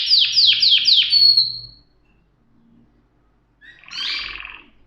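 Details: Short canary phrase: four quick descending slurred notes running into a held whistle, followed by silence and a soft, rough chattering burst.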